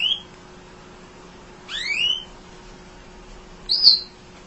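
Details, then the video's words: Munia chirping tirelessly for training songbirds: a brief high whistle, then a pair of upward-sweeping slurred notes, then a short arched note, spaced well apart. "Kicau Emprit Ngoceh Tak Kenal Lelah Untuk Masteran"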